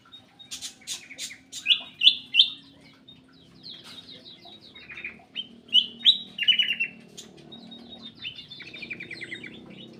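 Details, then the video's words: Caged black-capped bulbul in an aviary uttering rapid trilled chirp series and bright whistled notes in two main bursts, with a steady low hum in the background. "KICAU KUTILANG EMAS \ CUCAK EMAS GACOR"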